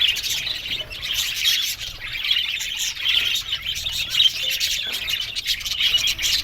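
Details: Colony of budgies in an aviary, a thick chorus of high chirps and twitters, rising and falling slightly in loudness without pause.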